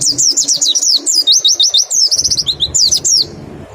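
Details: Loud, rapid 'nembak' song of a mountain white-eye used as a lure with 'ngecal' calls: continuous high twittering of quick falling and wavering whistles, ending abruptly.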